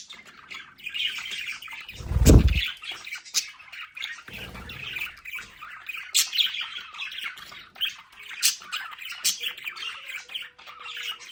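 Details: Pet budgerigars in their home play area: continuous high chattering warble with scattered squawks, broken by a loud low thump near the middle and a softer knock shortly after.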